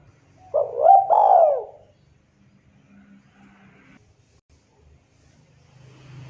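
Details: Local spotted dove in 'manggung' perched song, played as a lure to prompt other doves: one short phrase of mellow, rolling coos lasting about a second and a half, followed by quiet low room noise.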